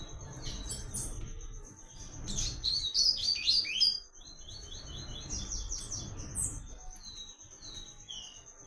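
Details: Papa-capim singing its clean, cadenced 'Tui Tui' song for training caged birds: loud bursts of rapid, high sweeping and twittering notes, followed by a few softer drawn whistles, over a constant thin high tone.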